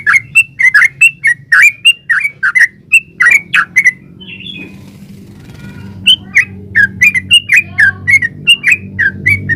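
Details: Yellow-vented bulbul (trucukan) singing actively in the rapid 'ulpik ropel' style, used as a lure so other yellow-vented bulbuls answer and sing; fast series of sharp chirped notes, about four per second, brief pause midway, then resumes over a low background hum.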